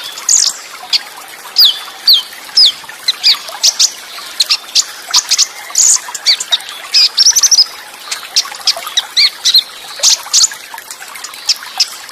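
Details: Olive-backed sunbird song material, Cililin shot style: a varied string of high, piercing chirps, downslurred whistles and a brief quavering twitter, given in irregular bursts with short pauses between.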